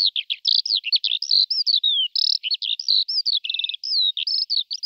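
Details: Wild Eurasian skylarks, a flock feeding in a field in Malta: a rapid, continuous stream of high chirps, trills and short slurred whistles, closely packed with barely any gaps, and no other clear sounds.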